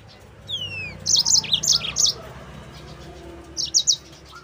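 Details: Yellow-fronted canary song for training other canaries, opening with a descending whistled slur followed by a quick cluster of high, sharp chirped notes, then a brief later burst of similar chirps.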